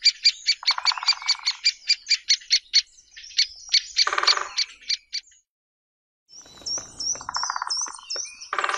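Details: Great spotted woodpecker calls: loud, sharp notes repeated in a quick series with short drum rolls mixed in. After a silent gap come high whistled slurs and another burst of drumming.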